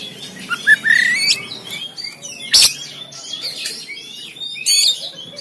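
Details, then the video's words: Oriental magpie-robin in Banten, recorded by Android phone, singing a 'tembakan' style song meant to rouse lazy caged birds. Soft twittering and a brief rising whistle are broken by one sharp crack, with scattered quieter notes and a low background hum. "KACER TEMBAKAN KASAR‼️Full Emosi Dongkrak Kacer Yang Malas Bunyi Dan Buka Ekor"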